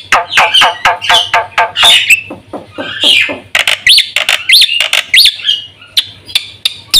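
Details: Black-winged myna singing a varied fill-in song, meant as lure and training material: harsher, mixed chattering notes and squeaky rising whistles, less regular than a steady chirp series, with short gaps between bursts.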